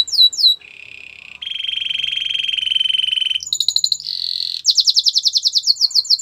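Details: Song of a Belgian canary for training: descending whistles, a long low buzzy roll, a high glassy trill, then a loud fast series of pulsed notes.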